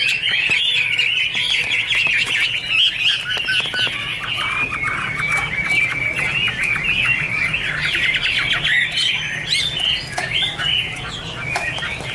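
Chinese hwamei pouring out a dense, unbroken stream of loud, high chattering and squawky notes, with sharp clicks scattered throughout.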